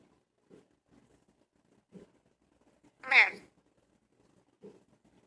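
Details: A male talking parrot, which calls every time the door opens, gives one loud, harsh, speech-like squawk of about half a second, rich in overtones; soft, muffled voices are heard before and after.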